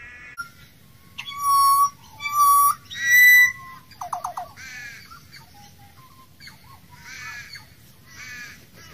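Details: Wild Australian pied butcherbird singing: three loud, pure, flute-like whistled notes in quick succession, then a brief tumbling trill and softer warbled phrases fading out, over a faint low background hum.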